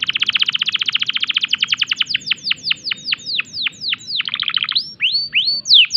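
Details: Singing canary in breeding condition: a rapid, even trill of high notes slowing into spaced, sharply falling whistles, ending with a few upward-curving chirps.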